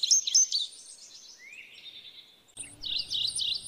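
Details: Indigo bunting song: high buzzy notes slurring downward, a rising thin whistle, then a burst of clipped paired high notes.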